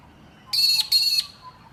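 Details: A Rainbow Lorikeet in trees at Carisbrooke Park, a suburban South Australian park with river red gums, feeding on nectar and pollen, gives two harsh, grating screeches of about a third of a second each in quick succession; otherwise quiet background.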